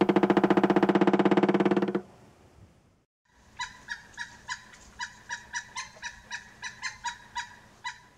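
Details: A Pileated woodpecker gives a long series of about sixteen loud, ringing notes, roughly three per second, after a brief, harsh, buzzy honking sound; the species calls and drums to attract a mate.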